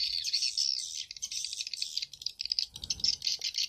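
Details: Swiftlet-house lure recording of edible-nest swiftlets, Bulan Madu and Black Phoenix styles mixed in stereo: rapid high twittering chirps, continuous at first, then breaking into quicker separate bursts near the end.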